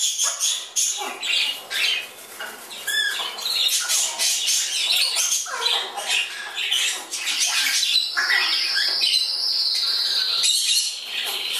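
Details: Congo and Timneh African grey parrot fledglings in flight indoors near Dallas, Texas: many overlapping rasping squawks and short whistles, then a long steady high whistled tone late on.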